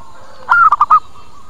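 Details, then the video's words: A single zebra dove lure phrase for attracting local doves: a sustained cooing note running into three short rapid coos, mid-pitched and loud over a quiet hum. "Suara PIKAT PERKUTUT Cepat Pada Datang dan Nyaut"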